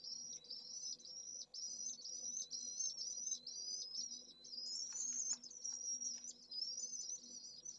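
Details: One pallid swift chick at its nest in Jerez de la Frontera during the hottest midday of an August heatwave, over 44°C. Repeated high, buzzy wavering notes, each about half a second, follow one another in a steady series.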